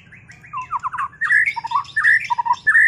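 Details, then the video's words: White-rumped shama after its moult, dueling: loud, close, fluty whistled notes alternating between lower and higher pitches in short, rapid bursts. "Duel murai batu lepas mabung"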